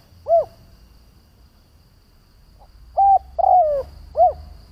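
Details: Decoy spotted dove calling to lure other doves: an arched coo, a pause with a faint note, then a level coo, a falling drawn coo and another arched coo, low-pitched and mellow.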